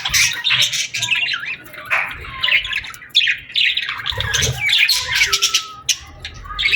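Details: Birds chirping in the evening at sunset in summer: dense overlapping high chirps and harsh squawky bursts, with short descending whistled notes, almost continuous throughout.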